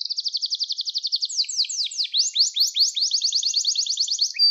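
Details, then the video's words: Gloster canary singing continuously, meant to encourage canaries to sing; a rapid high trill runs into rhythmic downward-sweeping notes and then a fast, even series of high chirps. "Gloster Kanarya Sesi Ve Ötüşü | Kanarya Huylandırma Ve Kızıştırma Ötüş Eğitimi"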